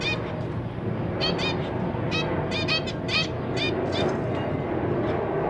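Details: Zebra finches kept in a cage, parents feeding newly hatched chicks and juveniles present, 3 March 2023: bursts of brief nasal beeps in small clusters, partly masked by loud continuous background noise.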